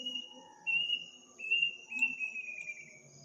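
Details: Eerie bird call heard at midnight in a village on the night of Takbiran. It gives a few sliding whistles of nearly the same pitch in a short sequence. A steady high insect drone and faint low tones continue behind it.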